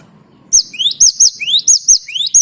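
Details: Rolling great tit song for coaxing other birds to sing. Repeated paired notes, each an upward-slurred whistle and a piercing high note, delivered rapidly and evenly against faint low background noise.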